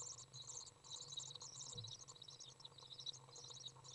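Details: Common Swift young being fed in a nest box by a parent, recorded June 18th 2011; dense high buzzy trilling chatter in rapid bursts, continuous throughout, with a low steady hum beneath.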